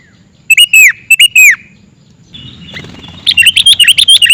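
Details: Lure call of a sooty-headed bulbul: two short phrases of clear descending whistles, a pause with faint noise, then a rapid run of about seven sharp chirping notes.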